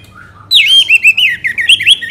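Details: Orange-headed thrush in Bali singing a lure song for other songbirds. A faint soft note leads into a loud, fast, continuous warble of twisting, slurred whistles.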